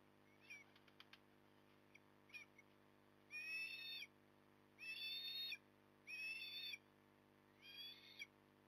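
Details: At a Port Lincoln nest, 9 October 2020 at 08:23, soft clicks and short chips give way to four loud, sustained whistled cries from an osprey, each nearly a second long, over a steady low hum.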